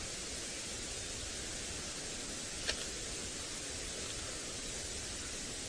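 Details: Steady hiss at sunrise on a safari drive, broken by a single click, with no animal sounds.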